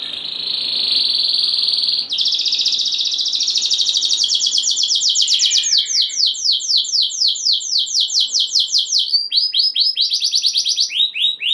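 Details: Canary in constant song to stir other canaries: a long, dense high buzzing roll lasting several seconds, breaking into clear descending whistled notes repeated rapidly, then a fresh series of sweeps.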